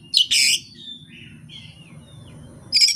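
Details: Oriental magpie-robin singing with no tutor recording and no rival: a loud harsh buzzy burst, quiet drawn-out whistles, then another rasping burst at the end.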